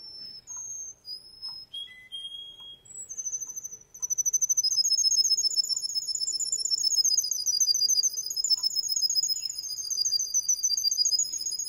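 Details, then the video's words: Male Russian canary singing: a few separate high whistled notes at varied pitches give way to a long, fast, buzzy rolling trill held steadily for the final seven seconds. "Russian canery male singing"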